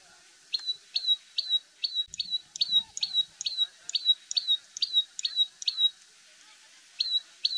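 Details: An Indian common tailorbird gives a steady series of piercing, clipped chirps, each sliding down quickly, roughly twice a second. A brief pause comes before two final notes.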